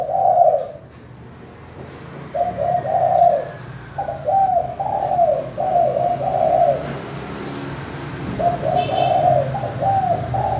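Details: Spotted dove with a crystal-clear voice, played to lure lazy doves into cooing; a loud opening coo, then a run of soft, rolling, low coo phrases with short gaps, faint high chirps in the background.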